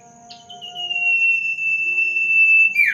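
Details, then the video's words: A sirtu whistling at night. It sustains one pure, flat, high-pitched whistle for over two seconds, slightly wavering, then breaks into a brief rough falling note at the end. Faint electrical-sounding hum tones run underneath. "Siulan burung sirtu malam hari"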